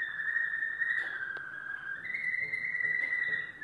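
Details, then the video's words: Yellow domestic canary holding a steady, pure whistled roll that shifts up a step midway, with a faint click, sustained for nearly four seconds. "canary singing"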